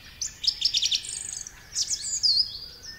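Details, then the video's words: Song thrush song in a brief fragment: a quick series of high, sharp repeated notes followed by a longer whistled, slurred phrase, with no other sounds heard. "Song thrush song is marked by a repetition of notes and phrases and its strident, far-carrying, full-whistled tone."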